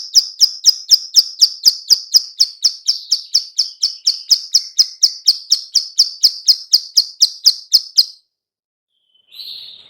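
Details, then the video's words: Female bar-winged prinia clicking, a call used to draw in other birds: about eight seconds of evenly spaced, sharp high clicks, roughly three per second, then silence and a single softer buzzy note. "suara klik- klik betina/ciblek sawah"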